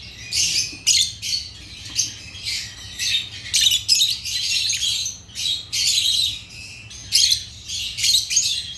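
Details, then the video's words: Agapornis lovebirds, African lovebirds kept as pets, chirping in bursts of harsh, high-pitched squawky chatter lasting half a second to a second, separated by short pauses, with several birds overlapping. "Agapornis lovebirds chirping sounds"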